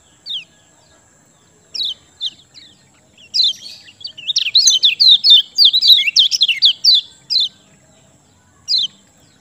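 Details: Lemon-bellied white-eye, locally kecial kuning, singing as a lure for birds that have stopped singing: spaced single high notes build into a dense, fast burst of sharp, falling twitters, then a few separated notes.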